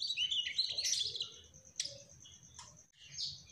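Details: Rapid, scratchy high twittering from a Mugimaki flycatcher in trotol song, loudest at first, then a thin sustained note and scattered sharp chips.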